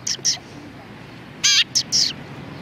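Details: Sparrows filmed on 31 October 2019 give sharp, high chirps: two quick notes, a gap, then a longer harsh chirp followed by two shorter ones against a quiet background.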